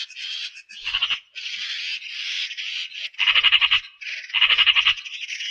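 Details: Rasping, grating calls from a Eurasian magpie. Longer hoarse notes alternate with loud stuttering rattles of quick pulses, spread over about five seconds.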